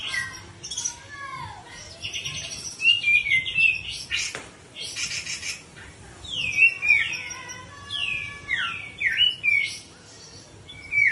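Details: Ngepik siul song of a grey-cheeked bulbul: a lively mix of falling whistles, quick chattering trills and sharp slurred notes in irregular bursts, with one loud click midway and a faint hum underneath.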